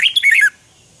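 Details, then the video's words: Red-whiskered bulbul in morning song training, double-twist voice: one half-second phrase of loud, clear whistled notes sliding downward, followed by silence. "Luyện chào mào hót sáng 2020 chào mào giọng xoắn kép Quá hay"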